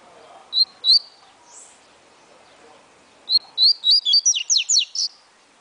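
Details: Double-collared seedeater singing in the atilharia style, a bird from a breeder: two short high notes, a pause, then a rapid burst of about nine crisp whistled and slurred notes ending in a buzzy flourish.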